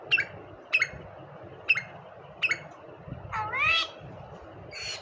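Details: Common myna, a talking bird called khandari mayna: four short sharp calls about a second apart, then a longer rising, warbled phrase and a final burst, over steady low background hum.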